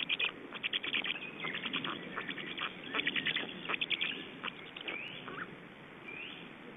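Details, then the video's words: Black storks feeding and changing over at an Estonian nest on 29 May 2012 evening: a rapid run of dry clicks that fades, followed by two thin rising whistled notes. "Estonian Black Storks - Feeding and change"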